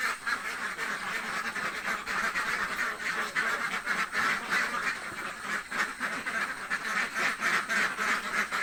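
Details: Hungry ducks in a village quack continuously, a throng of coarse nasal calls rising and falling in loudness without a break.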